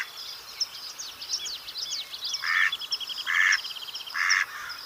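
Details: Mallard quacking three times, each a broad nasal burst roughly a second apart, while songbirds keep up thin whistled trills and chirps behind.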